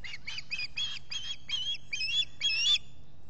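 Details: At the Salt Point osprey nest in the Finger Lakes region, US, 23 July 2021, an osprey gives a quick run of eight short, shrill, upslurred squeals, building slightly louder toward the end over a faint low rumble.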